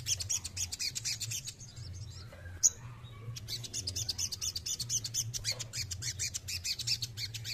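A male crested jay gives a fast, dry rattling chatter of high, harsh notes, repeated in bursts throughout, over a steady low hum.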